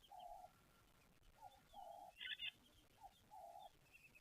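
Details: A ring-necked dove (Streptopelia capicola) at a waterhole in South Africa repeats low, hoarse cooing phrases mixing short and longer drawn notes, while red-billed buffalo weavers chatter higher in the background.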